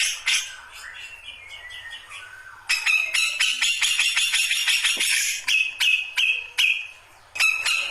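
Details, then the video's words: Grey-cheeked bulbul in full, rich song: a busy stream of sharp, high chattering and whistled phrases, with loud clicking notes and trills repeated several times a second. "Kicauan Burung Cucak Jenggot Baru Ngombyok"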